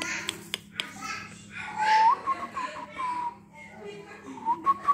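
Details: A pet myna, tame and out on a bed after its first trained bath, gives rising whistles and chattering speech-like notes, trading sounds with a person talking nearby; a few sharp clicks punctuate the room.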